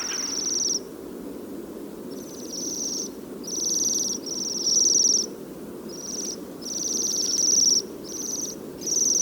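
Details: Small flock of Bohemian waxwings in early winter snow, feeding on rowan berries and resting with fieldfares. They give thin, very high, shimmering overlapping trills in bursts of about a second over a low steady rumble.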